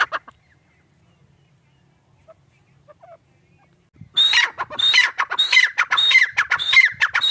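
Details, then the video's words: About four seconds of near silence, then a teetar, or grey francolin, bursts into loud, rapid calling. Shrill whistled notes break into harsh, falling syllables, with phrases repeated around twice per second. "Teetar ki awaaz // teetar sound // gray partridge sound"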